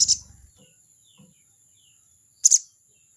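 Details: Crested jay making a 'crecet' challenge call toward a rival: one harsh burst at the start and a rasping double burst near the end, with faint low knocks between.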